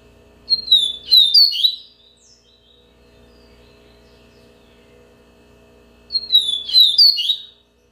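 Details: Yellow-bellied seedeater repeating its song twice, about five seconds apart: each burst a quick jumble of bright, high whistles and slurs lasting over a second, with a quiet pause between.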